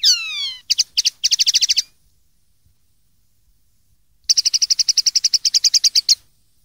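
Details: Song of a common linnet, recorded in 2013 for teaching young linnets to sing: a falling whistle opens into quick twittering bursts, a pause, then a long steady trill of rapidly repeated bright notes, clean background.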